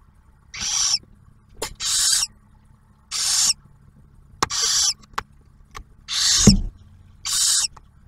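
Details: Barn owls at a nest near Oak Harbor, Ohio: the male delivers prey and the female feeds the first-hatched owlet. Seven harsh hissing bursts with uneven gaps, mixed with clicks and a low hum.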